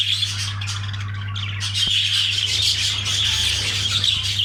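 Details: Budgerigars during mating, rapid scratchy squawks and warbled twitters in quick succession, loudest in the second half, with a low steady hum beneath.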